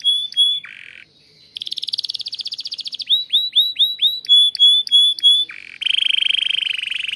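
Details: Canary kept in a breeding room, delivering varied song phrases: clear short whistles, a pause, a dense buzzy trill, swooping notes, then a broad rolled trill.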